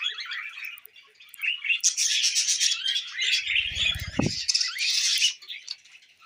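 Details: Several tame pet budgerigars chattering while eating millet: busy overlapping twitters and buzzy warbles, loudest in the middle, with a brief low knock partway through.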